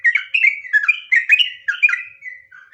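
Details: Trucukan, the yellow-vented bulbul, in lively gacor ngropel song: clusters of liquid, warbling whistles in quick bursts, ending with a lower drawn-out note and a short rising whistle.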